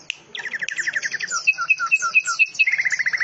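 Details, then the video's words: Greater green leafbird singing in a canary-like style mixed with cililin and rapid lovebird-style phrasing: fast, varied twittering, then a run of paired high and lower whistled notes repeated about twice a second, ending in a quick descending trill. "suara cucak ijo rasa kenari,cililin,love birds nembak rapat"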